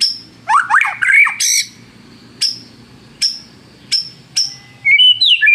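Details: White-rumped shama song used as a lure to provoke rivals into singing: a burst of rising, sweeping whistles, then short sharp high notes roughly every second, closing with a tumbling run of warbled notes.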